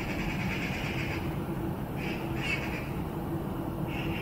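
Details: Eurasian bullfinch in a maple utters soft, drawn-out mellow whistles, a few spaced notes, against a constant low roar of background noise.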